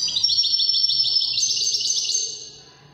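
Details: European goldfinch singing in the Moroccan Wedani style: a dense run of fast, high twittering trills with buzzy notes, rising in pitch midway, then fading out toward the end.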